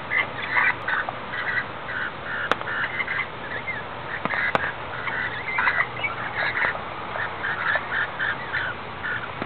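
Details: Wild rainbow lorikeets sheltering under an umbrella in the rain on the Gold Coast, Australia, giving many overlapping shrill screeches and chatters over a steady hiss of rainfall.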